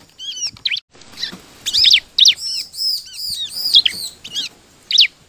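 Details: Ciblek or bar-winged prinia lure song to prompt other birds to sing: scattered high chirps and ringing arched notes in short clusters, with quiet gaps and soft background hiss.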